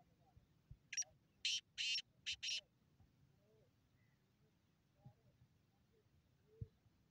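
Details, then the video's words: Black francolin (kala teetar) calling: a grating phrase of four harsh, buzzy, broadband notes packed into about one and a half seconds, the middle notes longest, followed by near silence with a few faint low knocks. "Kala teetar viceکالا تيتر کی آواز"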